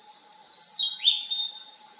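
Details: Narcissus flycatcher (kibitaki) singing: a high, sweet two-part phrase, a falling slurred whistle followed by a short rising note, over a faint steady high hiss.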